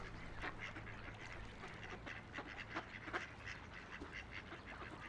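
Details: On a peaceful river, ducks quack in short nasal bursts, several close together, against a constant low murmur of moving water.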